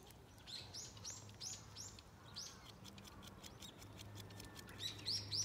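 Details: Domestic duck: a rapid series of high, thin, arched peeps, several a second, in bursts, with a steady low hum underneath.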